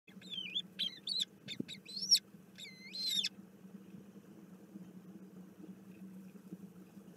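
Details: Bermuda petrels recorded 06 04 2021: loud, high wavering and sliding calls with rich overtones, in quick bursts over the first three seconds, then a low steady hum.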